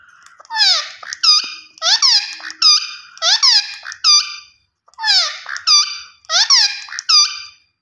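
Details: Green ringneck parrot in a long, repetitive run of grating, harmonic screeches. Falling shrieks alternate with short level notes, about nine calls over eight seconds, with a brief gap midway.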